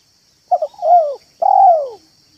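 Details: Spotted dove lure recording played in a yard to attract doves: a short stuttered cooing phrase, then two drawn-out, mellow, slurred coos that fall in pitch at the end, over a faint steady high hum.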